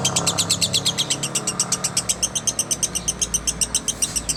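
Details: Lovebird singing in the 'konslet' style, recorded as a master track for training: high, harsh chirps repeated steadily about four times a second, each a bright squeaky note, over a faint low hum.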